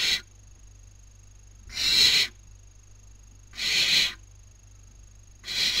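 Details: Barn owl owlets at a nest in Cabañeros National Park, Toledo/Ciudad Real, Spain, 2019 breeding season, as one grabs her sister's food. Regular breathy, hissing snores come about every two seconds over a faint high hum.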